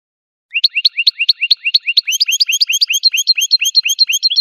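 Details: Goldfinch song: a fast, even series of bright upslurred chirps, about nine per second, shifting after two seconds into a denser, higher twitter of paired notes, with no other sounds.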